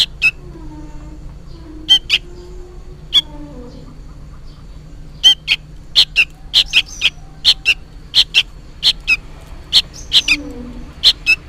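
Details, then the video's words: Young sooty-headed bulbul noisily calling as if to its parent: scattered sharp chirps that grow into a quick, steady series of paired squeaks, with faint low sliding tones in the background. "suara burung kutilang anakan gacor ribut seperti memanggil induknya"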